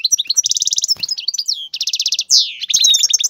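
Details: Male European goldfinch in a cage, singing hard for mating to prompt a female: loud fast rattling trills of buzzy notes, a sweeping downward note, and busy twittering.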